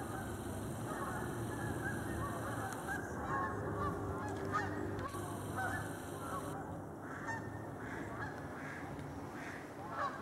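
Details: Geese flying overhead give repeated honks, irregular and overlapping, some rising, scattered through the whole stretch above a steady low hum and a broad wash of background noise.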